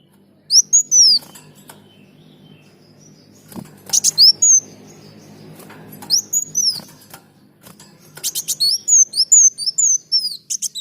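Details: Sunbird singing, recorded to train other birds: scattered bursts of thin, high down-slurred whistles and dry ticking notes, ending in a quick run of repeated whistles over a soft low background rumble.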